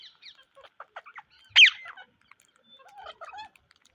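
An Indian ringneck parrot gives one loud, harsh screech amid soft chattering and clicking notes, with quieter twittering calls before and after.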